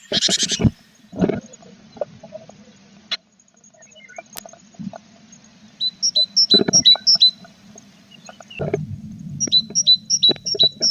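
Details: Nest-box tits with growing chicks in April: short harsh bursts and scratching, then two runs of thin, high, quickly repeated chip notes, about six in each run, over a low hum.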